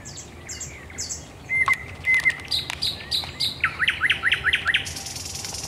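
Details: Thrush nightingale heard singing at night at Raszyn Ponds, Poland, on 10 May 2021: high descending whistles, flat piping notes, then a quick rhythmic series of rasping clacks ending in a rattle.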